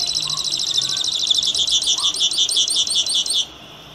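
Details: Saffron finch, known locally as misto or canario tipío, singing a fast run of bright, high chirping notes in even pulses for about three and a half seconds before stopping abruptly. A faint low hum sits underneath.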